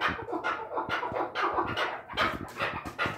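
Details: A farm-raised chukar partridge gives harsh, rasping chuk notes, roughly two to three a second in an uneven run, over a low background murmur.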